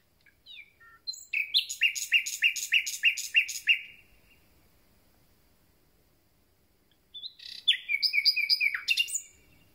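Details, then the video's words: Common nightingales, just arrived, beginning their song: a phrase of rapid repeated chirping notes, about fourteen in a row, then silence for about three seconds, then a second similar phrase of fast repeated notes. "Słowik rdzawy i jego piękny śpiew"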